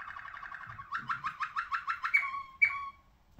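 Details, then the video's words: Malinois Waterslager song canary, ringed, singing: a fast bubbling roll that slows into louder pulsed notes, then two sharp bright chirps with falling tails. "Canario de canto Malinois Waterslager"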